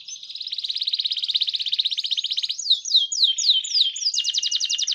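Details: Canary singing nonstop in the ornate Indonesian 'gacor cengkok mewah' style: a long, fast, high buzzy trill, then a run of quick downward-slurred whistled notes, ending in another rapid pulsed trill, with no other sounds.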